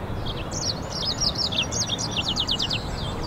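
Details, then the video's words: Goldfinch and canary mule song, a lively high twittering of short sliding chirps and quick trilled notes strung together without pause, with a steady low hum of background noise underneath. "European Goldfinch mule singing"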